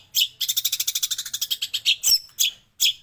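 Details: Long-tailed shrike master recording with sparrow and prinia mimicry: a quick series of about fifteen bright chirping notes, then a few louder separate harsh chips spaced apart.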